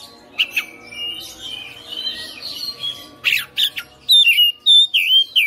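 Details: Caged Oriental magpie-robin singing hard and persistently, displaying its song fillers: scratchy, buzzy notes and sharp clicks first, then a fast run of loud, clear whistles that dip and rise, repeated quickly near the end.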